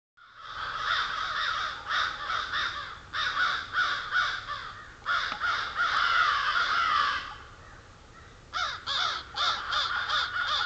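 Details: Crows calling at sunrise near Talihina, Oklahoma: harsh, raspy caws in quick runs of three to five, several birds overlapping, with a short lull near the eighth second before another burst of rapid caws.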